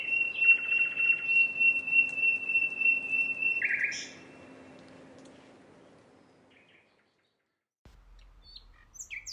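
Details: Common nightingale holding a long pure whistle with a rapid trill beneath it, ending in a harsh burst, followed by near silence and a few faint high notes.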